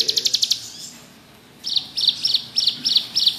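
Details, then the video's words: Bar-winged prinia singing in 'ngebrem' style, meant for tutoring other birds: short bursts of rapid, high, clipped notes, one burst, a pause of about a second, then several quick phrases repeated roughly every quarter second. "Burung ciblek gunung gacor ngebrem cocok buat masteran"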